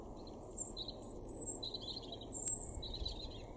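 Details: European robin singing in a garden in Weener, East Frisia, northwest Germany, May 2021: thin, high, warbling phrases, some sliding very high, separated by short pauses, over a soft low background hum.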